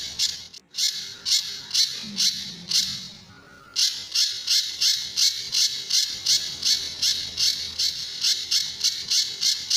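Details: A Sunda bush warbler master recording for training other birds, featuring tembakan and besetan. Rapid buzzy chips, near three a second, pause briefly early on with a faint low tone, then continue steadily.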